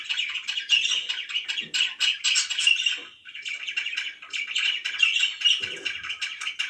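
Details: Pet budgerigars chirping in a relaxed mood: dense, continuous twittering and chattering with scratchy squawks and warbled notes, overlapping calls from several birds filling the recording without pause.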